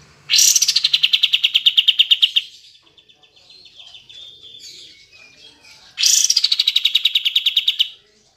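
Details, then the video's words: Kapas tembak bulbul, used to stir silent birds into song, gives two loud, rapid rattling trills about two seconds long with a quieter chattering warble between them. "Pancingan Kapas Tembak Macet / Malas Bunyi"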